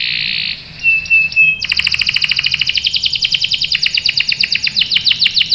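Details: Canary, a female in breeding condition calling the male: a brief hissy burst and a short thin whistle, then a fast, even trill of high, sharply descending notes, about eight per second, running steadily to the end.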